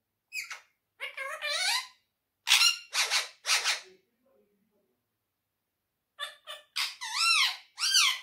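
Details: Pet quaker parrot talking indoors: several bursts of speech-like, harmonic syllables with rising and falling tones, a pause, then more rapid word-like phrases with swooping pitch contours.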